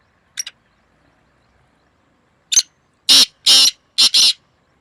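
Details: Black francolin in a two-bird calling contest, 2 May 2024: a faint quick double note first, then after a pause a full loud phrase of one short note, two long rasping notes and a harsh double.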